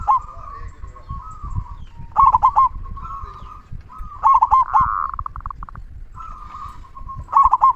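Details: Local zebra dove singing actively with a big 'kung' voice: clusters of quick, bubbling coos in short bursts, with a softer, steadier cooing from another dove behind and faint low rumble.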